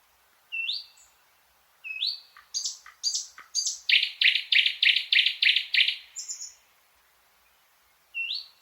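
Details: Thrush nightingale song: a rising whistled upslur, then sharp clicks and a fast run of about ten loud, rhythmic chooks near the middle, with pauses and another upslur starting at the end. Quiet background.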